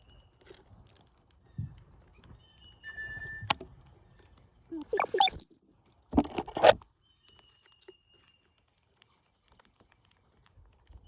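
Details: Cowbirds gathered in numbers at a feeder during migration: a brief steady whistled note, then a sharp squeal sweeping very high and two rough gurgling bursts, with faint tapping and rustling between calls.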